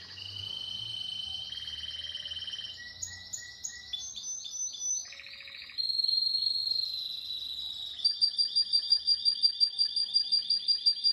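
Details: Pakistan canary in sustained song, moving through long rolling trills, sliding whistled phrases and rapid repeated syllables, ending in a pulsing, evenly spaced trill.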